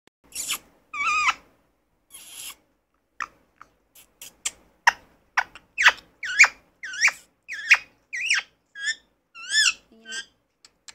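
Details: Indian ringneck parakeet, called a sindhi parrot, talking: a run of about a dozen short squeaky chirps and bent, whistled notes that quicken and grow louder toward the end, with a few faint clicks between.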